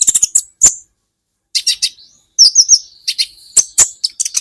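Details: In an Indonesian songbird-training recording, an olive-backed sunbird (kolibri ninja) gives quick high chirps, a pause, then wavering whistled notes that run into a steady thin tone under scattered sharp chips.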